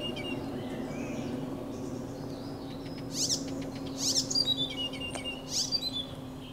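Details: An Icterine warbler sings on 15 June 2023: quick bursts of varied, chattering and squeaky high notes in the second half, over a steady low hum.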